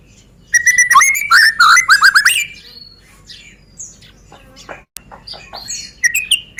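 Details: White-rumped shama from Medan singing to provoke rival birds into song: a dense, rapid jumble of loud whistles and chatter for two seconds, quieter scratchy notes, then renewed sharp whistles.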